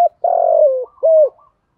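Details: Close end of a spotted dove phrase from training cage birds, male and female, in the Thổ and hạp bôi styles: a long vibrating coo gliding downward, followed by one short clear hollow coo.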